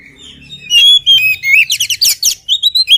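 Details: Oriental magpie-robin in energetic song while still unfed: loud whistles, then a quick run of sharp repeated chirps and a final rising whistled phrase.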